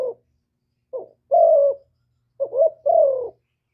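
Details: Hạp bổi voice of a spotted dove, recorded without background noise to rouse decoy birds; a clipped note, then two phrases of a quick rising coo and a longer falling coo in near silence.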